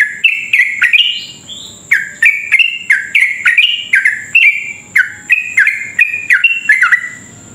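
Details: Sooty-headed bulbul in long, rapid continuous song, used as a lure to provoke other bulbuls into singing: about twenty short, clear notes near-continuously, each sharply attacked and slurring downward, some pitched higher, over a constant faint high whine.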